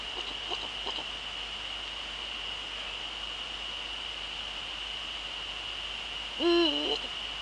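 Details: Male Eurasian eagle-owl recorded in the Netherlands on 30 January 2013 at 18:00, giving one short, deep hoot near the end over a steady high-pitched hiss, with faint clicks early on.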